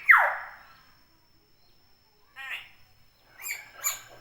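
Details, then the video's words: Common hill myna, calling freely: one loud, sharply falling whistled note, a pause, then softer, rough, throaty chattering notes at the end. "Suara burung beo alami gacor"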